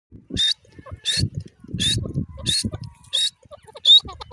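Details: Irani teetar francolin giving harsh, grating high notes, about six in a row roughly every two-thirds of a second, over low rumbling background noise.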